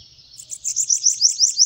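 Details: A short snatch of bananaquit song from a bird sitting on a hand: a string of high, slurred, squeaky notes quickening and growing louder, each note rising slightly, in a quiet setting.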